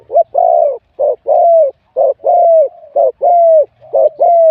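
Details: Wild-caught spotted dove singing for competition, medium-to-large voice style: steady run of five phrases about once a second, each a short burry note then a longer, evenly held coo sliding slightly down.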